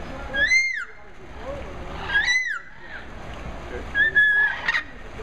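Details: Chatty parrots at a resort in Mexico, November 2016: loud, rich whistled calls that swoop up and then drop, given in three bursts about two seconds apart, with soft chatter between them.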